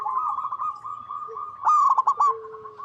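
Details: Local zebra dove (perkutut) cooing, used as a lure to get other zebra doves to sing; a soft, fast staccato trill held steady at one pitch, swelling near the end into louder stuttering bursts before fading to a low tone.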